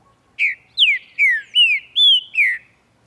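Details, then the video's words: Green-winged saltator singing in the morning: one clear whistled phrase of six slurred notes, most gliding downward and one rising, spaced about every half second, in an otherwise quiet setting. "VEJA O TRINCA-FERRO CANTANDO E OUÇA COMO É GOSTOSO COMEÇAR O DIA OUVINDO O CANTO DOS PÁSSAROS."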